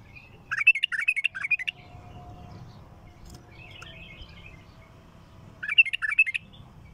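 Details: Strong, raw bulbul song with a heavy throat. A loud rapid burst of chattering notes opens, then a soft twittering passage, then a second loud burst near the end. A faint low hum sits underneath.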